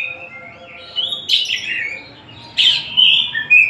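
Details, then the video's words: White-rumped shama, a Tasikmalaya-type bird, singing: whistled phrases sliding between high and mid pitch, with two loud sweeping bursts and quieter warbling between them. "Kacer Tasik Muni sak enak e atine"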